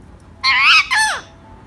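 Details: A white female rose-ringed parakeet says a quick two-syllable word in a harsh, nasal voice, the second syllable sliding downward, in an otherwise quiet room.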